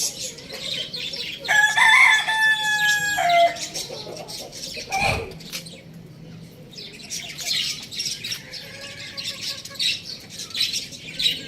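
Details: Rooster crowing loudly once, a roughly two-second harmonic call that holds level and drops at the close, surrounded by continuous sparrow-like chirping and a brief thump.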